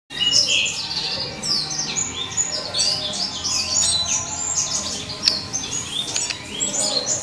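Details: Juvenile red siskins, offspring of a classic male and a mutation female, give a constant stream of high, thin chirps and twitters, several birds overlapping without pause, with a few sharper ticks.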